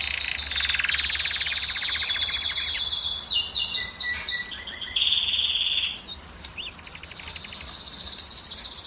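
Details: Canary singing to encourage females to breed: a buzzy low trill, then a few clear descending whistles, a high steady roll, a pause, and a quieter sustained trill at the close.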